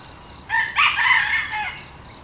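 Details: Newly acquired decoy red junglefowl brought out for trial to lure wild junglefowl: one hoarse, broken crow of several harsh segments lasting about a second, over a quiet background with faint insect hiss.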